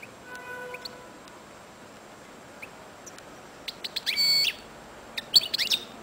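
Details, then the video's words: Singing breeding male of the royal goldfinch type: a few steady tonal notes open the clip, then sparse high chips lead into dense, buzzy twittering phrases and a final cluster of quick bright notes, with low background hiss throughout. "Chardonneret royal coupleur chanteur"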